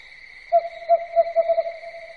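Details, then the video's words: An owl at night gives a string of soft hoots, evenly spaced at first and then accelerating into a rapid close-set run, with a thin continuous whine underneath. "SUARA BURUNG HANTU MALAM HARI"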